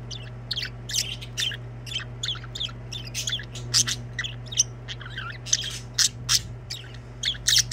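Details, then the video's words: Budgerigars singing with a busy, continuous stream of sharp chirps and warbled twitters, several notes each second, growing louder toward the end, with a low steady hum underneath. "Budgies singing."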